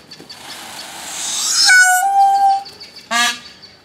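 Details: A peahen calling to a displaying peacock gives a loud nasal honk lasting about a second, then a short harsh, buzzy note, after a rising hiss of rustling; another peacock is nearby.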